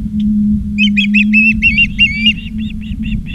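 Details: Osprey calling at a Montana nest in Charlo, 17 August 2023, 16:04, live camera: a jumbled, overlapping run of high whistled chirps and slurred notes, ending in a string of softer evenly spaced chirps over hum.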